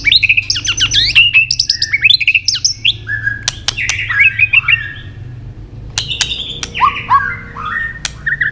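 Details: White-rumped shama, stimulated to sing its fighting song and flicking its tail: rich varied whistled phrases, rising and falling slurs and rapid trills, with sharp clicks between phrases and a faint low hum behind.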